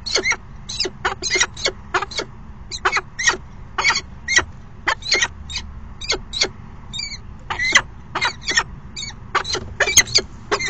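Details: Falcon pair at a nest box on an afternoon of 29 September 2016: the male waited all morning before the female arrived for a short courtship dance. Sharp, harsh chipping calls repeat two or three times a second, with a faint low background hum.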